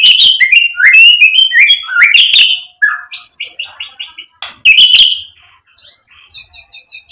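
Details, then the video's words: White-rumped shama, a provoking recording meant to make another bird answer, with varied whistled phrases around 2–4k pitch, fast chattering bursts and a run of rising repeated notes near the end. "PANCINGAN MURAI BATU biar EMOSI jadi NYAUT BUNYI GACOR BONGKAR ISIAN"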